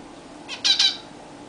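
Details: Zebra finches, pets in a new, bigger cage, bathing there for the first time. A short burst of three nasal calls, the second and third loudest and nearly joined, over low room hum.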